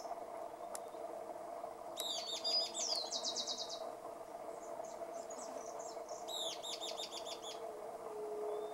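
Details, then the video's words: Euler's flycatcher (Lathrotriccus euleri), Santurce, Santa Fe, 3/11/2020: two bursts of high, rapid buzzy notes, the first ending in a quick descending trill, over a steady hum of insects. "Mosqueta Parda (Lathrotriccus euleri)"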